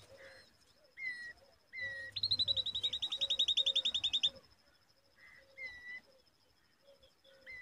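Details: Common babbler young on a date tree: repeated nasal two-part calls, low soft notes and a long fast trill of high notes. A steady high whine runs throughout.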